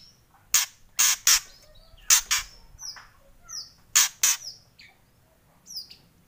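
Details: White-rumped shama giving kretekan: loud, harsh, rasping bursts, singly and in quick pairs, interspersed with short thin downslurred whistles, against a quiet background.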